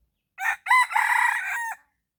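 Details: Red junglefowl crowing in the morning during decoy luring: one loud rooster crow, a short opening note, a brief gap, then a long harsh, buzzy phrase that holds steady and ends with a clipped final note, against silence.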